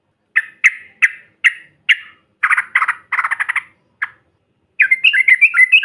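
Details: Yellow-vented bulbul provoking call: five harsh, spaced single notes, then a burst of rapid raspy stutters, one more harsh note, and a closing run of liquid warbles.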